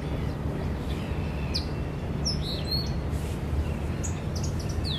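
Yellow-winged Blackbird giving thin, high chirps and short downslurred whistles, scattered every second or so, over a steady low rumble of wind or traffic.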